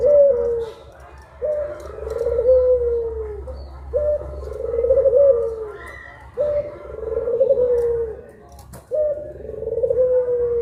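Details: Repeated cooing of a puter pelung collared dove: five long, mellow coos spaced roughly every two to two and a half seconds, each held steady then sliding down, over a low constant hum.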